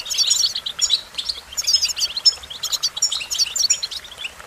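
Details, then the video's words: Lively American goldfinch singing, tumbling high chirps and sweet warbled phrases in quick clusters under a second long, separated by brief dips, with a few sharp, piercing whistles. "Goldfinch Melodies: A Collection of the Most Beautiful Songs"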